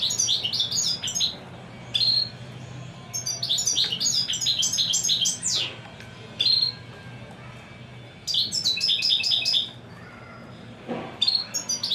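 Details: A wild-caught European goldfinch, praised as a fine singer, sings bright, tinkling bursts of rapid twittering and liquid trills, phrases lasting one to two seconds with short pauses between, over a faint low hum.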